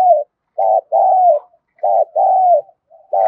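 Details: Spotted dove giving urgent cooing plus crowing calls, played to make wild-caught birds call for decoy training: mid-pitched hollow coos in pairs, a short note then a longer falling one, repeated about every second in a quiet setting.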